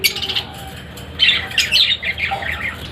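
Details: Indian ringneck parakeets kept as breeding pairs utter bursts of raspy, grating squawks and shorter chirps, several bursts in three seconds over a low background rumble.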